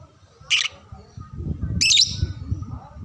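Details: Lovebird recorded to teach young birds to sing: two brief harsh squawks about a second and a half apart over a rumbling low background.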